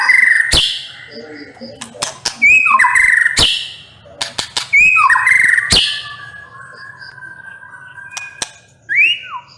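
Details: Murai batu (white-rumped shama) singing 'nembak pedes': bright whistled slurs punctuated by hard clicks, repeated in bursts, then a lull with a long soft whistle and a final rising-falling whistle.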